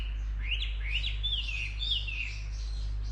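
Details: Short, clear bird twitters: rising and falling slurred notes follow one another closely for about three seconds over a faint steady low drone.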